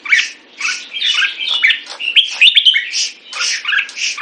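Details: Caged red-whiskered bulbul (jambul) singing: buzzy, chirping bursts about every half second, with a few sharp rising whistled notes in the middle of the phrase.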